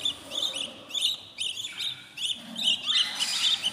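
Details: Budgerigar chicks fourteen days old in a new nest make clustered high chirps and little upswept notes in quick uneven bursts, with a raspier rush near the end.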